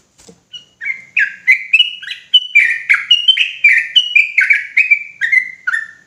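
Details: Sooty-headed bulbul singing emotionally in rapid ropelan fashion: after a soft click, a rushing series of about fifteen clear chirped notes, alternating higher and lower, ending on a falling note.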